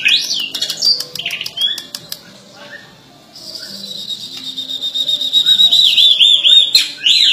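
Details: White-rumped shama: sharp clicking and a few short whistled notes, a brief lull, then a long high sustained warbling trill that wavers up and down before a final loud slurred note.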